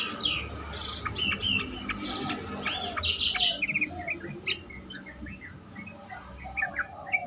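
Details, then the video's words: Yellow-vented bulbul singing, played to encourage other bulbuls to respond and sing: quick bubbly phrases of clear chirps and short whistles, loudest early then thinning into scattered notes, low hum underneath. "pancingan trucukan terkomplit sangat bagus untuk membuat trucukan lain lebih gacor"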